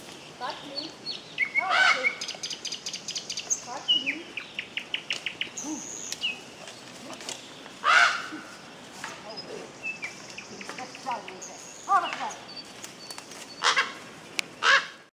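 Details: Common raven (Corvus corax) in Bryansk, Russia, gives harsh, hoarse croaks at irregular intervals every few seconds over a busy background of smaller birds' chips, trills and whistles.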